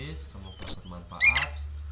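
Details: Oriental magpie-robin singing after morning sunning and morning dew care: a sharp descending whistle followed by a brief buzzy chirp, with low steady hum beneath.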